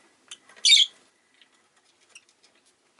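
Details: Rosy-faced lovebird letting out one loud, harsh, high chirp, surrounded by a few faint, scattered squeaks.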